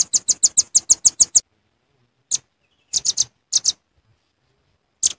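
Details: Velvet-fronted nuthatch lure call with a quick burst of nine piercing high chips, then silence broken by isolated notes and brief groups of two or three.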